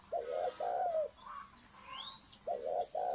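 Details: Two throaty double-humped coos from a spotted dove in thổ sấm style, a pause carrying a faint rising whistle from another bird, then two more coos; constant thin whine overhead.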